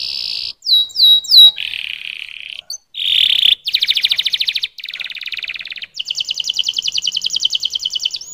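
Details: Singing canary moving through varied tours: a high buzzy note, chevron whistles, a low buzz, then long pulsing rattles and a fast, even trill lasting over two seconds.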